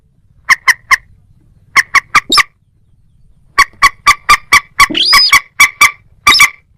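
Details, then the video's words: Series of abrupt, clipped moorhen notes in tight groups separated by short pauses, broken midway by a wavering, rising then falling squeal. "ডুংখোর পাখি ও খেনি পাখির ডাক(moorhen @ little cracked bird sound)"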